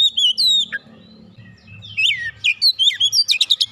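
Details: Oriental magpie-robin singing, used to coax a silent kacer to sing: clear whistled slurs, a falling downswept note, then a quick series of sharp chirps and buzzy notes accelerating toward the end, with faint low background hum.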